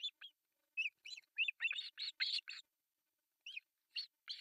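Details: Breakfast feeding of three osprey chicks on an artificial nest in Pohjois Satakunta, Finland, July 1, 2024, from a nest camera: irregular string of thin, downslurred screechy chirps, bunched in the middle, then spaced single calls.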